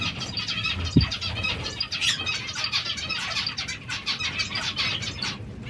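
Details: Zebra finches pecking at seeds and fresh salad: a dense chatter of short nasal, harmonic calls from several birds overlaps throughout, with a single low thump near the first second.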